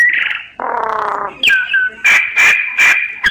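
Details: Myna song mixing a rough buzzy note and a lower harsh rasp with a clean whistle that drops in pitch, then a sustained high whistle broken by loud clicking, grating bursts.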